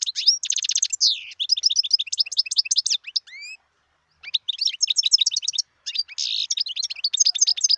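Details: Wild European goldfinch in song, a fast run of bright chirps and trills, then two clear rising whistled notes, a pause of about a second, and more lively twittering to the end; clean, quiet background.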